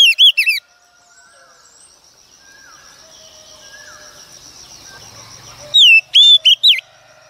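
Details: Female Oriental magpie-robin, wild-caught, singing to rouse males. A brief burst of bright whistled notes opens, then comes a long near-silent gap of faint hiss with soft distant chirps, then a few sharp rising and falling whistles to close.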